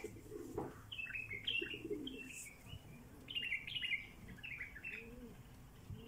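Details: Bulbul giving quick, bubbly, slurred chirps in clusters of several notes, with gaps between bursts, over low soft cooing and faint background rustle.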